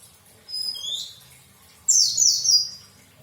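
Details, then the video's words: White-eye giving a short thin twitter, then after a pause a louder, longer cascade of high, bright, tumbling notes that fall in pitch. "indahya kicauan pleci"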